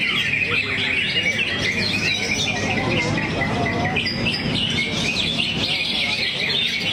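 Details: Greater green leafbird delivering its repertoire ('buang materi') while 'teler': lively high chattering and trilled phrases, with a few clearer whistled notes near the end, over low voices and background noise.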